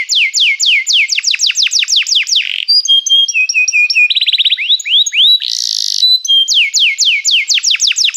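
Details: Canary song for calling other canaries to sing and for training: rapid series of falling whistles, then flat tones, quick trills and a harsh buzzy burst, returning to fast descending whistles.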